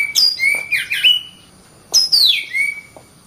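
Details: Oriental magpie-robin singing in full voice: two bursts of clear whistled notes, each with a sharp high downslurred note sliding into lower level whistles, separated by a pause, over quiet background.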